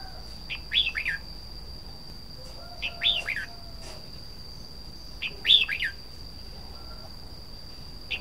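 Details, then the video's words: Red-whiskered bulbul song: cheerful phrases of three or four quick whistled notes, repeated about every two and a half seconds, with a steady high electronic whine in the background. "Chim chào mào hót"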